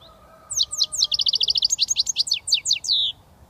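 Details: A young European goldfinch from Britain, just starting to whistle, sings a continuous three-second twitter of sharp sweeping notes with a quick rattling run in the middle and a drawn-out ending.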